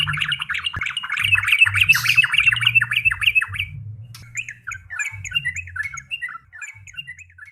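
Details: Energetic yellow-vented bulbul (trucuk) song: dense fast chattering notes for about four seconds, followed by spaced, thinner squeaky chirps, with faint low-pitched hum behind.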